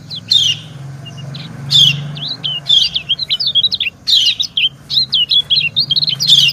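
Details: Female and male white-eyes answering each other: bright high chirps mixed with rapid thin twittered phrases, repeated in bursts over a low humming background.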